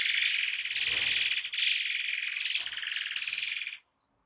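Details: A forktail (murai air) gives one continuous 'tembakan rapat' shot, a masteran-style song: a nearly four-second stream of dense, rasping, fast-pulsed buzzing with a faint low thump near the start.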